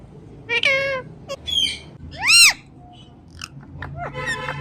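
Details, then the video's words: Pet Indian ringneck parrot talking, said to repeat "Mithu Mithu": loud, bright harmonic voice-like notes, one long rising-then-falling arched call near the middle, plus shorter squeaky syllables over a low household hum. "Ringneck Parrot Talking Mithu Mithu"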